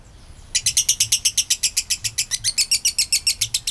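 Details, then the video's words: After a faint thin whistle, a kabayan lovebird bursts into a long ngekek trill, a lure for making other lovebirds sing: rapid harsh chattering notes, about six a second, kept up steadily to the end. "PANCINGAN LOVEBIRD KABAYAN NGEKEK PANJANG"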